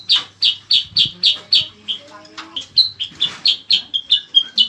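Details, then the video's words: Lively song of the bayeman (cicak kurincang), a bird used as a master for training contest songbirds: a fast series of bright, short notes, briefly broken by softer chatter, then resuming at about four notes a second. "bayeman atau cicak kurincang gacor | pancingan & masteran burung"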